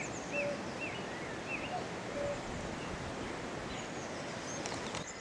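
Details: Common cuckoo singing from a tree, 3 May 2018, with horses nearby. One full falling cu-ckoo and part of another over loud outdoor hiss. Another bird repeats looping higher whistles early on.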